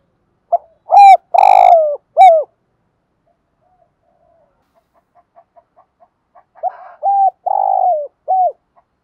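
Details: Spotted dove decoy gáy gọi bổi, morning calling to bring in wild doves; one loud three-note phrase, a few seconds of soft clicks, then a second phrase of short coo, long buzzy note and falling coo.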